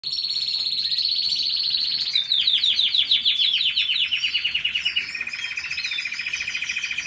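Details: A canary sings a long, high continuous song: a sustained buzzy trill, then a run of fast rhythmic repeated notes that slowly drop in pitch, ending in a lower steady rolling trill.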